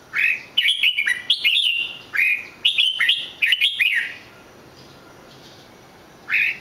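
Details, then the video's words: Red-whiskered bulbul singing several fast bursts of sweet, lilting whistled phrases, then about two seconds of quiet before one more short whistle. "chào mào hót cực hay"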